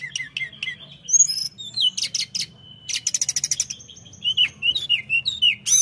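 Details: Flowerpecker in lively song meant to stir up opponents: scattered high chirps and slurred whistles, a fast rattling series of sharp notes in the middle, then a run of bouncing downward-slurred whistles.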